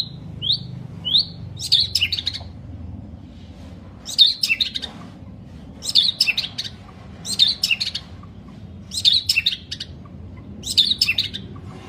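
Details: White-rumped shama delivering long-phrased song: short bright clustered notes repeated roughly every one and a half seconds, each burst a quick tumble of high chips, over a faint low hum.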